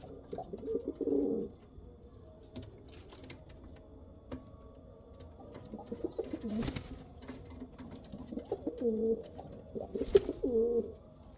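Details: Pigeons of the Kal Cheeni and Rampuri breeds coo low and throaty: one rolling phrase early on, a long quiet stretch with scattered soft knocks, then several warbling coos late in the recording.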